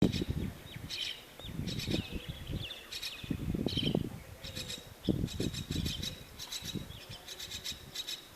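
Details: Small myna chick in a bird house nest, waiting for its mother: harsh, raspy bursts of begging repeated roughly every second, over low rumbling background noise.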